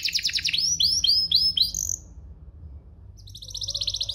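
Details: Domestic canary tutor song for young canaries and for prompting birds to sing: a rapid trill, four rising slurred whistles, then a short pause before a high, fast trill resumes over a faint low hum.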